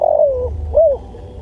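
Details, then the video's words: Spotted dove singing loud, melodious coos: a drawn-out falling hoot followed by a shorter rounded coo, over a steady low hum. "MASTERAN SUARA TEKUKUR"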